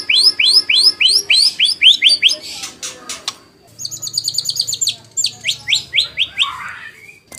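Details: White-rumped shama song used as a lure to make other shamas answer and as tutoring material: fast series of rising whistled slurs, then a pause and a bright run of repeated high chattering notes and more upswept whistles.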